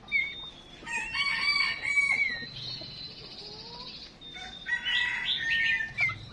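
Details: Female songbird acting as a decoy to make males sing: a dense stretch of overlapping whistles, trills and warbled notes, pausing briefly before another tangled burst of bright chirps.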